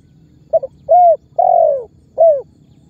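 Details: Spotted dove giving a calling-and-pressing lure call used to make other birds call; a brief stuttered note, then three loud mellow coos, the middle one longest and falling in pitch.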